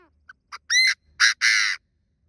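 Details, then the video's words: Decoy Chinese francolin giving its luring call to draw in wild birds and make them call. Soft brief notes build to a loud rasping phrase of three parts: a rising drawn note, a short burst, a long buzzy note. "Tiếng chim đa đa mồi gọi bổi hay kích bổi nhanh gáy"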